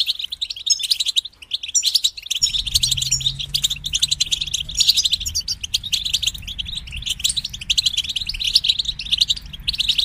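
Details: Many European goldfinches singing together, a chorus for goldfinches going through moult; constant fast twittering and chattering high notes, with a low steady hum in the background after the opening seconds.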